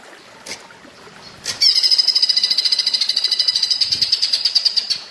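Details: Green leafbird (cucak ijo) singing in the platuk bawang style, made as a training recording: after two faint clicks, a fast, even, high rattling trill of sharp repeated notes runs for over three seconds.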